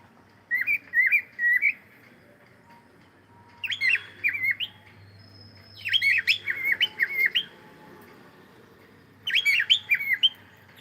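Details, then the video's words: Cockatiel singing and playing, uttering clustered bursts of harsh, buzzy chirps in groups of several notes, four bursts separated by short silences. "Cute Cockatiel singing and sound and playing"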